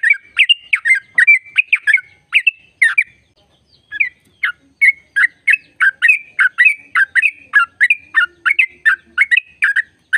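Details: Sooty-headed bulbul delivering 'ropel panjang', a long trilling song used to make caged trucuk birds sing: rapid, continuous strings of bubbly, warbling notes with a brief pause midway, then steady repeated phrases.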